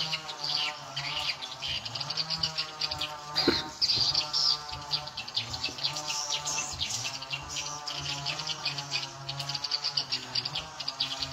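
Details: Edible-nest swiftlets calling during playback of the SP Tripel Queen lure: long run of high, buzzy chirps and twitters, a sharp click near the four-second mark, low hum throughout.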